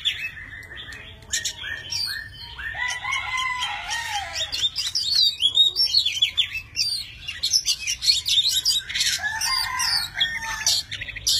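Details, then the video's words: A tame Oriental magpie-robin sings a varied, many-voiced song as it spreads its wings and fans its tail. Clear whistles, rising and falling slurs, and rapid chattering trills run almost continuously. "Chim chích chòe than thuần, hót múa cực hay"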